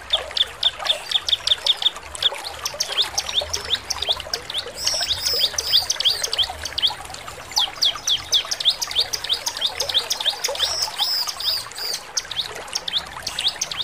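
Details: A bar-winged prinia in full song sings rapid, high, buzzy chattering phrases in quick bursts, used as a lure call to provoke other prinias to respond.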